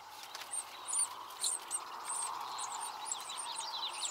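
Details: Three juvenile marsh wrens give thin, very high begging calls for food, overlapping in quick bursts, over a steady background hiss; at sunrise at the edge of a cattail marsh, Lake Helena, Montana, late June to early July.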